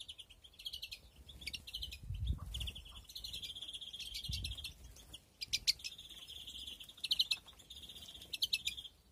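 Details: European greenfinches breeding in an aviary flight cage, 2021. Long, steady rattling trills on one pitch alternate with clusters of sharp chirps, with a few low thuds in the background.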